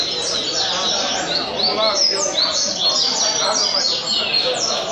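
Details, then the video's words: Caged double-collared seedeater from Rio Comprido, Brazil, singing a song style known as caveirinha: loud rapid repeated slurred whistles and sweeping notes, continuous and strong, with a man urging the bird on just before. "Coleiro Caveirinha 115 Cantos"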